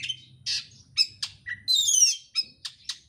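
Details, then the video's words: Fast, packed oriental magpie-robin song for stimulating a bird to sing: sharp high chirps and short buzzy bursts in quick succession, with one longer harsh rasping phrase midway, over a faint low hum. "pancingan kacer gacor isian rapat cepat ngotot emosi"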